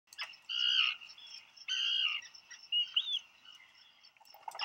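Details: Black guillemots at a burrow on Seal Island National Wildlife Refuge, Maine, USA, on 27 June 2020, as a brooding parent hears its mate arrive with food for a chick; two drawn-out, high, reedy notes, then fainter shorter whistles.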